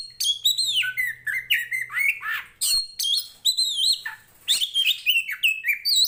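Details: Kacer or Oriental magpie-robin, poci Tretes fighter type, singing loudly for training other birds' mentality; rich run of whistled downslurs, harsh chatters and sweet rising notes in quick succession, with a faint low hum beneath.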